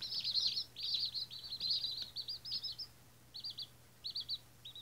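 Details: Baby White Australorp chickens, first day: clusters of loud high peeps, each note briefly rising then falling, that thin out into separate short bursts about twice a second, over a faint hum.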